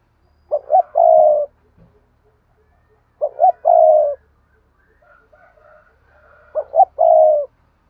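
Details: Three phrases of spotted dove paired cooing, roughly every three seconds. Each has two short rising notes and then a long, slightly falling coo, with faint softer notes between.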